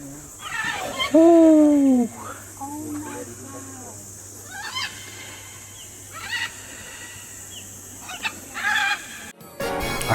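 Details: Parrots near a giant cavern outside Bonito, Brazil, give a loud, harsh, arching squawk, then scattered fainter squawks every second or two over a steady low hum, ending in a sharp noise.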